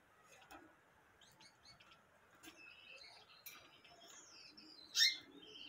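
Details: Gouldian finch singing: scattered faint high chirps and short thin notes, ending in a single louder sharp note near the end, over a low steady background hum.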